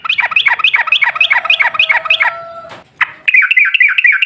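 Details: Yellow-vented bulbul in long, rapid chattering song, played as a lure to get other bulbuls singing. Bouncy notes repeat about three times a second for over two seconds, break off, then resume briefly.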